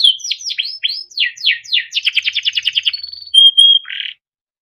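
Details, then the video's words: A yellow Timbrado canary sings a run of falling whistled notes, then a fast trill, a steady held tone, a brief pure whistle and a short buzzy burst before silence. "Yellow canary singing video Timbrado canary singing beautiful melodic songs"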